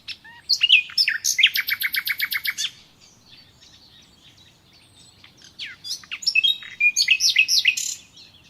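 A common nightingale sings rich, varied phrases: a fast rattling series of repeated notes, a pause, then a second burst of sharp whistles and trills.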